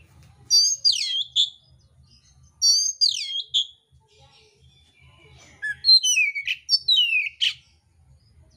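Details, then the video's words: A fighting oriental magpie-robin of the mintal type, unloading coarse mimicry. Repeated bursts of fast, falling, multi-note whistles are separated by short pauses. "kacer mintal tarung bongkar isian kasar"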